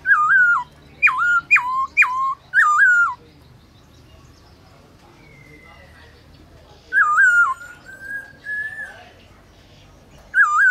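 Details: Kept black-throated laughingthrush singing at midday in forest-voice style, used in training: loud clear whistled phrases, a burst of four quick falling-rising notes, then a pause, long slurred whistles near seven seconds, and a final note.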